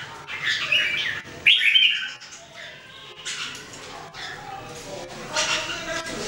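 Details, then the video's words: Jambul, the red-whiskered bulbul, one of three trained to sing daily in 2018: two quick loud looping whistled phrases early on, then quieter scratchy sounds and a soft hum. "Training Jambul birds singing everyday 2018"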